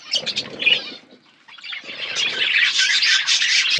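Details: Flock of budgerigars feeding, chattering and squawking in bursts; a quieter pause with faint wing and scratching noise, then the busy high chatter of many birds swells and holds steady.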